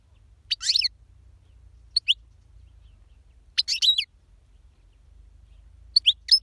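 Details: European goldfinch singing: short bursts of bright, twittering high notes with quick rising and falling slurs, separated by pauses of about a second, four bursts in all.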